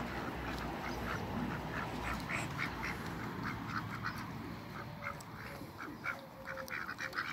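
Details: Backyard meeting of three Pekin ducks: a run of quick nasal quacks, several per second, loose in rhythm and fading somewhat toward the end, with low rumbling background noise.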